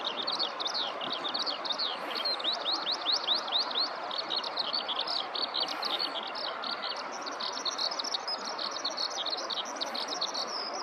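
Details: Eurasian skylark singing a long song from the ground in a nearby rice paddy, recorded handheld at close range: a continuous, rapid, high-pitched stream of chirping, warbling notes with no pauses, over faint rural background noise.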